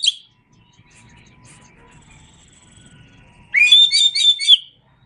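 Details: Oriental magpie-robin in a songbird training recording: a brief high note, then near silence with faint low hum, then a loud burst of rapid repeated chirping whistles lasting about a second.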